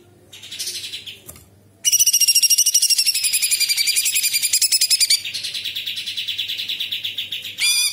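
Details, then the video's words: Cucak cungkok bulbul singing actively with imitated birds and insects and sharp rapid phrases: after brief softer notes, one long, loud, high stream of fast chattering notes runs for over five seconds, ending in a harsh burst. "Cucak Cungkok istimewa gacor isian Kapas tembak + tembakan istimewa Nyerecet Beset Tajam Pedas."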